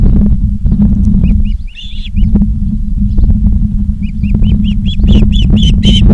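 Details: Osprey calls from a live nature cam at Charlo, Montana, on 19 August 2023, afternoon: short upslurred whistled chirps, first a few spaced notes, then a faster run of ringing chirps, over heavy low wind rumble.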